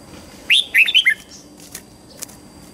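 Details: Red-whiskered bulbul morning song, played to train young white-cheeked birds: one quick phrase of four bright, slurred whistled notes that fall in pitch. A few faint clicks follow over a quiet background.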